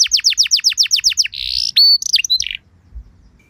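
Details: Canary lure song meant to get other canaries singing: a steady series of about ten falling chirps, then a rough buzzy rattle, a flat whistle and a few sharp notes before it goes quiet.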